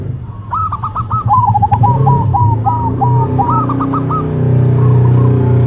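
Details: Zebra doves in a duet, a local bird against a cemani bird: rapid series of short, rolling coos near one pitch, each phrase about a second long and repeated, over a steady low hum.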